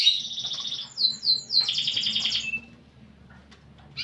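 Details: Canary in full song with a unique cengkok (song phrasing), described as pleasant to hear: bright high rattling trills, a quick descending run of slurred notes, then a pause and a short rising note at the end.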